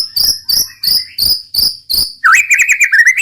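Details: White-rumped shama singing: six evenly spaced harsh, buzzy high notes, then a rapid burst of rolling whistled chatter in the roll tembak style.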